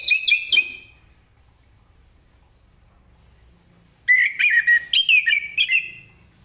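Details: Morning song of an orange-headed thrush in the vigorous 'ngeplong' style, meant to set other birds singing. A short burst of quick whistled notes comes first. After three quiet seconds a lively run of varied, chirpy whistles follows.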